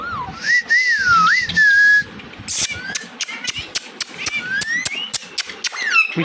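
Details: Indian ringneck parakeet kept indoors, mimicking speech: a long warbling whistled phrase wavering up and down, then a rapid run of sharp clicks and short rising whistles. A person repeats a word to the bird nearby.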